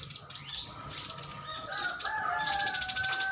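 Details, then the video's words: Metallic green sunbird colony calling back and forth: short spaced high chips, then a fast, even, trilled series of bright notes at the end, with a steady faint tone running beneath. "Koloni burung konin metalik ijoan saling adu nyrecet"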